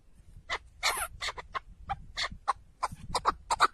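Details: Partridge calling in short, harsh, broadband bursts, irregularly spaced and varying in loudness, with faint low rumbling beneath.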